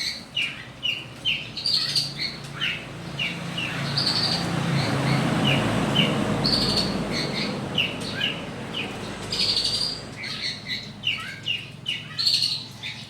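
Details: Morning song of a long-tailed shrike, a long unbroken string of quick high chirps and squeaky notes, roughly two per second, with a low rumbling background swelling in the middle.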